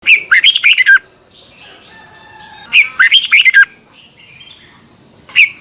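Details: Red-whiskered bulbul from Thailand, song played to train caged birds and excite them, used 30 minutes each morning: two quick phrases of about six bright warbled, rising and falling notes, a third phrase starting at the end, over a steady high whine.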